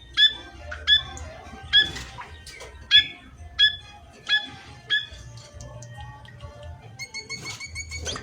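A munia gives short, bright chirps about once a second, ending in a quicker run of thin, higher notes, with a low hum underneath.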